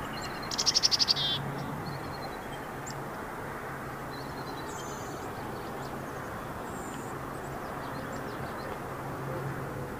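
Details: Chickadee in Delta giving a quick burst of buzzy, high notes, followed by faint scattered high chips, over a steady low rumble of background noise.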